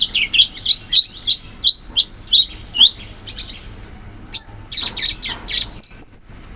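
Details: Sooty-headed bulbul singing wild in the forest, giving a steady series of short bright whistled chirps about every third of a second, then a louder, denser cluster of sharp notes toward the end.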